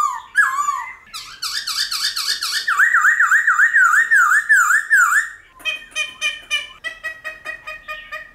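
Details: Black-throated laughingthrush singing in the mature wild-style voice with many voices, for training wild-caught birds. Quick clear whistles run into a long series of loud wavering whistles, then a choppy burst of short clipped notes.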